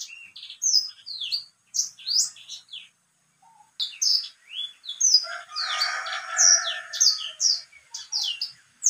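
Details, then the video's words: Caged white-rumped seedeater in full song: rapid sweet chirps and sharp downslurred whistles, with a pause near the middle, then a dense burst of twittering over a brief rasping background sound. "BURUNG BLACKSTROAT GACOR"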